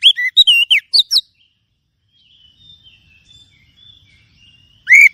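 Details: Magpie-robin song played as a lure to draw in wild birds: a burst of loud, varied whistled and chirping notes over the first second, near silence with faint high tones, then a loud rising whistle at the end.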